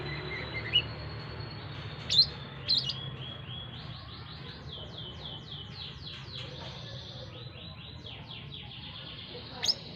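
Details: Brown-throated sunbird kept as a cage bird, being trained to tolerate crowds at a busy roadside with people passing; a run of quick, high, descending chirps with a few louder sharp notes over low traffic rumble.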